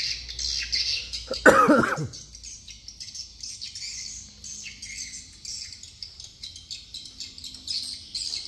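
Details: Swiftlets from Dương Tơ commune, Phú Quốc: a loud clattering knock near the start, then steady overlapping high twittering chirps from many birds.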